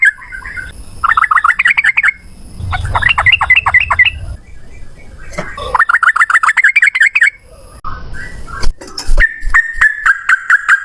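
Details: Yellow-vented bulbul singing repeated fast runs of bubbly chirps, separated by pauses, with some low noise and a few sharp clicks.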